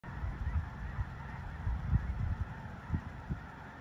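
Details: Migrating snow geese near Leigh, Nebraska: a huge flock keeps up a dense, continuous chorus of overlapping honks, with louder nearby calls standing out at intervals over a steady low rumble.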